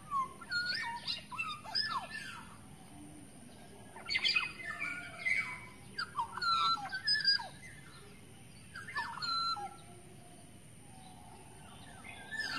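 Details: Forest-dwelling wild Black-naped Oriole giving a lure call: bursts of descending whistles and fluid slurred notes come in groups separated by quieter gaps. Busy high chirping from other forest birds surrounds the calls.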